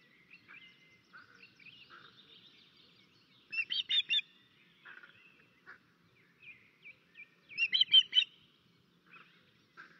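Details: Osprey (Pandion haliaetus) alarm at an Estonian nest on 13 May 2024 as a crow attacks the nest: loud bursts of sharp, high whistled notes about every four seconds, with softer piping calls between.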